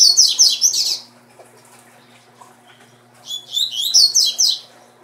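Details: A captive male double-collared seedeater, a breeding stud bird, sings two quick bursts of bright, high, jumbled twittering notes, about a second each, separated by a short pause, over a faint low hum.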